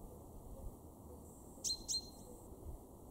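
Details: Male chaffinch calling in a garden in Weener, East Frisia, northwest Germany, during March 2023: a double sharp, ringing high note, the two notes close together, with a faint background hiss.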